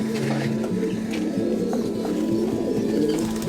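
Archangel pigeons cooing in low, rolling murmurs, several voices overlapping continuously with faint background clatter.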